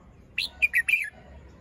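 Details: Red-whiskered bulbul singing in the morning while moulting, fluffed with its crest not yet upright: a short, lively phrase of four whistled notes, the last slurring downward, clear against a soft background.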